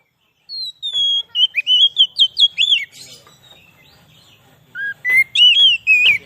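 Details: Lure song of an Oriental magpie-robin for catching wild birds in the forest: a long series of sweet whistled notes, some dipping and looping, a quiet gap with low rumble, then another loud whistled phrase.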